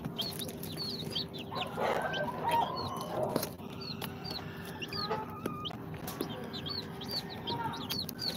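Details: Day-old incubator chicks of Sultan, Golden Sebright, Cochin and booted breeds give high falling cheeps, several overlapping in bursts, with some shuffling noise and a brief tone midway over a constant low hum.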